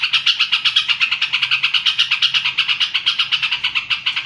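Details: Yellow-vented bulbul in sustained song: a rapid, steady run of sharp, chattering notes repeated almost three times a second, bright and even throughout, with a faint low hum underneath.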